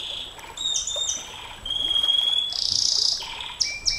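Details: Canary singing a long 'nembak panjang' master song: high whistled notes, a sustained buzzy trill and rising slurred phrases, with faint background noise.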